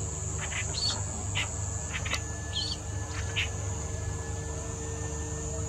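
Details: Clamorous reed warbler, Bengaluru, March 2021: loose series of short harsh, chattering notes over the first three and a half seconds, then quiet, set against a continuous shrill insect drone and low hum.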